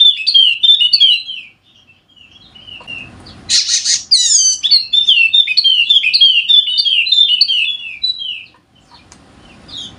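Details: Wallacean white-eye, golden-headed form endemic to Sumbawa, West Nusa Tenggara, singing a lively, rapid twittering song of high warbled notes, with a brief noisy burst midway and quiet gaps; played to prompt lazy white-eyes to sing.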